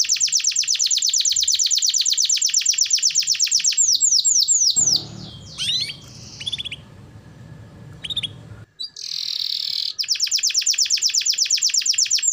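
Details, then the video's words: Lively canary song meant to coax lazy, silent canaries into singing: long fast trills of repeated high notes, a mid-clip break of lower rustling noise with scattered chirps and a buzzy burst, then rapid trilling resumes. "Pancingan Suara Burung Kenari Gacor || Cocok Untuk Terapi Kenari Malas Bunyi"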